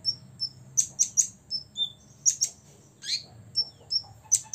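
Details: Olive-backed sunbird aged six years singing to anger rivals: thin high whistles alternating with sharp doubled chips and one harsher descending note, irregularly spaced.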